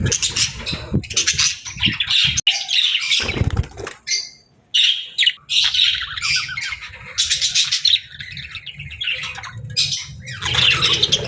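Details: Happy pet budgerigar, friendly and playful, chattering: repeated bursts of buzzy, scratchy warbles and chirps over about eleven seconds, with a few short pauses and occasional low thuds.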